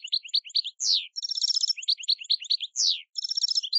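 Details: Campero song of a European goldfinch, meant for teaching novice decoy and contest birds; chirpy twitters alternate with sharp descending slurred notes and rapid buzzy trills, repeating in a patterned sequence.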